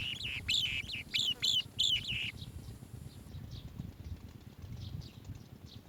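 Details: Asian green bee-eater chick in its nest cave, uttering four or five loud, buzzy trilled notes in quick succession over two seconds, then falling quiet with only faint rustling and low background noise.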